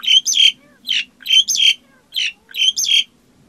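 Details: Black-collared starling repeating paired harsh, wheezy squawks roughly twice a second over a faint low hum.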